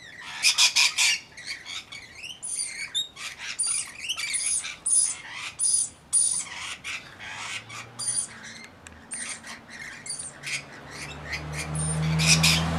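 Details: Rainbow lorikeets bathing and feeding: a flock gives harsh, shrill squawks and screeches in rapid bursts, with some thinner high chirps, while splashing and low rumbling noise rise toward the end.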